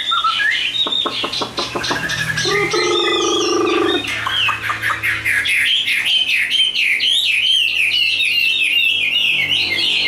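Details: Caged Chinese hwamei gives a few dry chattering notes and a buzzy churring burst, then breaks into long rapid whistled song with wavering, looping phrases that continue to the end.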